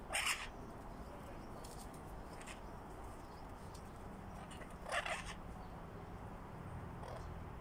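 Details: An Illiger's macaw, one of a pair in a new aviary, gives two short, harsh, raspy squawks several seconds apart, with fainter scratchy notes between them over a low steady rumble.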